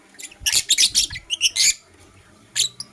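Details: Blue opaline lovebird kept as a pet, singing in the morning: a run of shrill, scratchy chirps in quick bursts over about a second, a brief pause, then one more harsh chirp near the end.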